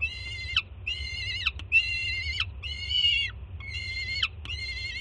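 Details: Young peregrine falcon at a city nest greeting its mother's arrival with food, 24 June 2017: six loud, strained screams about a second apart, each flat and rich in overtones before falling abruptly, steady low background rumble.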